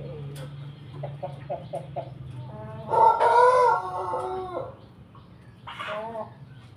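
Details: Pelung rooster giving a laughing crow while eating: soft, evenly spaced clucks lead into one loud, strained crow of about a second, followed by a quieter drawn-out tail and a final short clucking burst, over low background hum.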